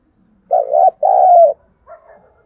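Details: A single lure coo from a decoy Spotted dove used to provoke wild doves, a wavering first phrase then a longer downward glide, followed by a faint trailing note.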